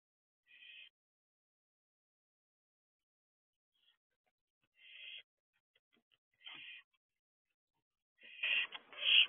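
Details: Two barn owl owlets on an owl box roof at 3:11 am, June 2023: soft, short hissing bursts spaced irregularly, ending in a louder, rougher scratchy outburst.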